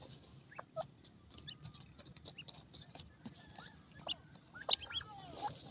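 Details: Young francolins, described as fat chicks at play, give scattered short chirps and soft clucks with a few quick upward-sliding whistles and clicking notes. Faint rustling and a low background hum underneath.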